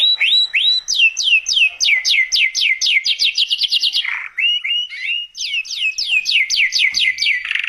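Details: Canary singing a loud, fast trilled song of repeated downward-sweeping high notes, about three per second, broken at four seconds by a brief lower warbled phrase before the sweeping series resumes.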